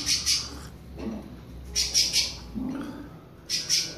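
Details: Sabiá-poca, the creamy-bellied thrush, warming up toward its classic song with brief clusters of sharp, high notes, three phrases in four seconds, and faint lower chirps between them.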